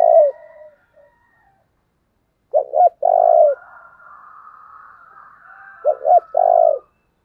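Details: Calling decoy spotted dove meant to rouse wild birds. Its deep cooing phrase has two clipped notes then a long vibrating coo, heard twice, over a thin continuous whistle from another bird.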